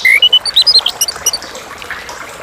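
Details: Chestnut-capped thrush delivering a bright, rapid phrase: a clear low whistle, then a quick series of short pure notes jumping up and down at high pitch, ending in softer high chips; constant faint hiss behind.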